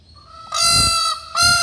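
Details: A displaying peacock (Indian peafowl) dancing with its train fanned at Karanji Lake, Mysore, gives two loud, nasal, trumpeting wails, the first lasting over half a second and the second following after a brief pause.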